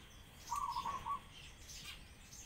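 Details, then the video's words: A single short, buzzy pigeon cry lasting about half a second, heard against faint sparrow chirps and quiet outdoor noise. "Pigeons Crying Sound"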